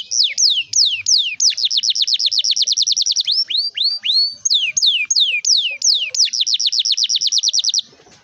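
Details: A canary sings a long rolling song used to encourage young or lazy canaries to start singing; loud falling whistles alternate with fast even trills of clipped high notes, then one more trill before stopping.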